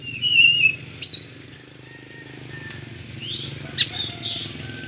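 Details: Oriental magpie-robin (kacer) with an unusual song, used to lure and provoke other kacer. A wavering high whistle with bright overtones, then sharp chips and rising whistled sweeps near the end, over a low steady engine-like hum.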